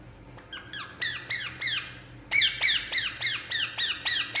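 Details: Indian ringneck parakeet making sounds while relaxing: a fast series of harsh, ringing squawks, each sliding downward, that starts sparse and then repeats about three to four times a second in steady bursts.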